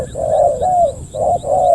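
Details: Close, loud spotted dove coos as a second wild bird approaches the decoy: four mellow, slightly wavering hoots, two long and two shorter, in under two seconds.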